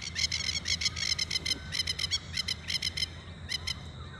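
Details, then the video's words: Masked Lapwings at Oxley Creek Common, Brisbane, Australia, on a morning walk give loud, harsh, rattling chatters in quick bursts of stuttered notes, several per second, over a low rumble, apparently warning ibis to back off, possibly guarding chicks. "Those are Masked Lapwings calling."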